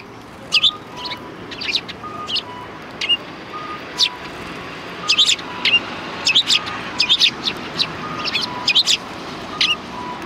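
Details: Sparrows greeting someone at a Tenmangu shrine's back entrance in February 2020 chirp in irregular clusters, while a lower two-note whistle repeats steadily behind them.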